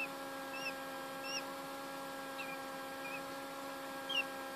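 A hatching quail chick gives thin, high peeps, about six short slurred notes spaced irregularly, over a steady electrical hum.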